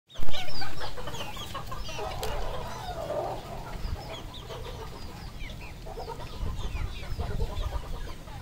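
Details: A flock of red junglefowl at a farm in Cambodia clucks and chatters in quick, overlapping short notes, several per second, over a steady low rumble of background noise.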